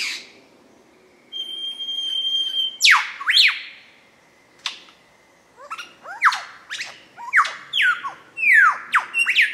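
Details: Dorrigo National Park rainforest, very dark conditions: a mature male lyrebird shows his repertoire with a thin held whistle, then loud, steeply descending whistled sweeps, grouped and repeated in quick succession.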